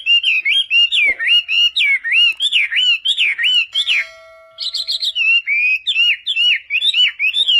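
A wambi sings a fast, continuous stream of high, wavering whistled notes, rolling up and down in quick repeated loops with brief sharper chips.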